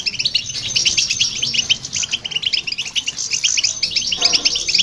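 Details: Goldfinch song recorded with a hybrid to stimulate other birds: a quick, lively stream of chirps and buzzy twittering notes that barely pauses, with faint low noise beneath.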